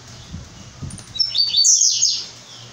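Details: Brown-plumaged blue-black grassquit (tiziu) giving a single high, buzzy phrase of quick rising and falling notes that ends in a sharp upward sweep, over a steady low electrical hum.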